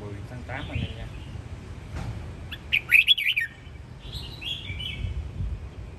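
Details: Home-raised chào mào (red-whiskered bulbul) of the Sông Kon strain from Quảng Nam, kept as a fighting bird: after rustling and soft notes comes a burst of quick, loud warbles, then a gentler trailing phrase.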